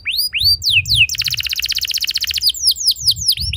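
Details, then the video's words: A canary sings a trigger song that sets other canaries singing long rolls: bright, high whistled sweeps, then a fast, even trill of about twenty-five notes, then more swooping whistles, over a faint low rumble. "Burung Kenari Lain Ikut Gacor Ngeroll Panjang"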